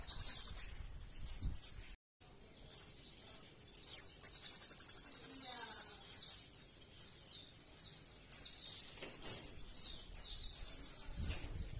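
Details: Sogon song used as a master recording and lure for other sogons: high, rapid chirps and sharp whistled notes, several every second, with brief fast trills woven in; faint background noise.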